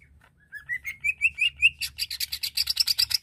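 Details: Greater green leafbird singing to provoke aggression in another bird: a rising series of short slurred whistles climbs steadily, then breaks into a fast, harsh, buzzy chatter repeated many times.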